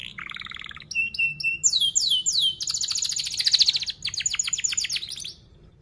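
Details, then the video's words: Canary training song for youngsters: a buzzy trill, clipped whistled notes, sweeping downslurs, then a loud dense rattling roll fading at the end. "Kenari Gacor Paud SPEED RAPAT Cuit cuit Ngerol, Pancingan Kenari PAUD BELAJAR BUNYI"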